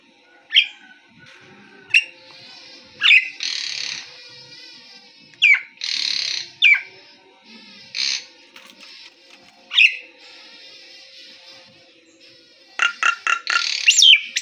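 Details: Nias hill myna singing continuously, used as a prompt to get other birds singing: loud, varied bursts of harsh squawks, buzzy rasping notes and piercing whistles separated by short pauses, ending in a rapid run of sharp chattering notes.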